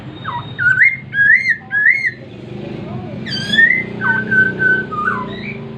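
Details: Masked laughingthrush song: three bright, bending whistles in quick succession, then a sharp ringing burst and a long level whistle followed by shorter dipping notes, set against a steady low rumble of background noise.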